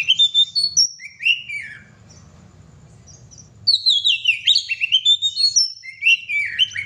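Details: Oriental magpie-robin (kacer) in full, vigorous song: bursts of sweet, varied whistles and sliding notes, then a pause of about two seconds and a fresh run of quick rising and falling phrases, over a low steady hum.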